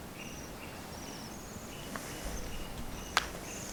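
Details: Bohemian waxwing calling in lingering snow along the Senjogahara boardwalk, Okunikko, Japan: faint, high, thin trilled notes repeated several times, with footsteps and a sharp click.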